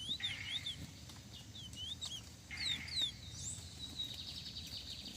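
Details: Singing duel between a lesser seed finch and a brown-plumaged bird: repeated sliding whistles in short phrases, with a buzzy lower note under some phrases and a long high whistle near the end, over low hum.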